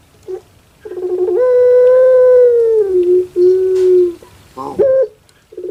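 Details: Kept puter pelung dove from Java, Indonesia, calling with a sound compared to a weeping child: a burring onset leading into a long even coo that dips lower, a second lower coo, then a quick rising note.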